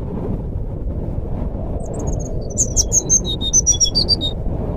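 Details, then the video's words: Flute-like nyuling song of a jungle flycatcher, meant to prompt a silent brown-chested jungle flycatcher into singing; a quick run of sweet high whistles that alternate between two pitch levels, over low background rumble. "suara burung sikatan rimba nyuling pancingan SRDC macet bunyi"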